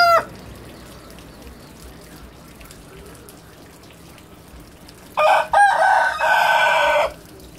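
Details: Roosters crowing against each other: the tail of one crow fades at the start, then after a quiet stretch a loud, harsh, multi-part crow breaks off and resumes, lasting about two seconds.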